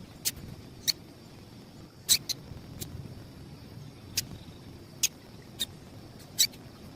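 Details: Calls of a female double-collared seedeater, used to stir up males: around nine clipped, sharp, high chips at uneven intervals, some louder than others, over a quiet rumbling background hiss.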